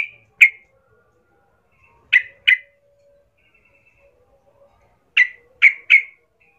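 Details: Sooty-headed bulbul sound meant to lure rivals into fighting; isolated sharp, bright notes, mostly in pairs or threes, separated by silence.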